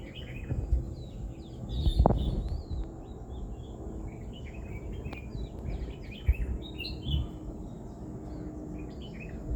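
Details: Birds chirping on a pleasant morning outdoors: many short, high, quick chirps and twitters from several birds, overlapping across the clip, with a single louder low thump near two seconds over steady low background rumble.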